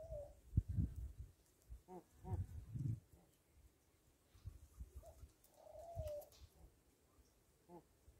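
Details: Rock dove (Columba livia) on a farm: faint, low hollow cooing notes in short bursts near the start, middle and end, over a heavy low rumble of handling and background noise, with a longer steady tone around the sixth second.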